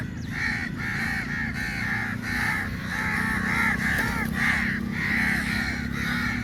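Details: Big flock of crows mobbing food at feeding time, calling loudly: nearly continuous rasping caws from many birds, overlapping about twice a second, above a droning low hum.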